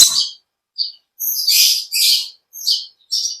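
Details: Natural song of an olive-backed sunbird (konin): high, buzzy chirped phrases, several of them drawn-out and rasping, alternating with short thin notes and gaps of quiet.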